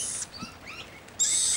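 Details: A juvenile rainbow lorikeet (Trichoglossus moluccanus) up in a tree on a rainy day in Brisbane, Australia, following adults, gives its baby call: two harsh, very high screeches, with faint bird notes between.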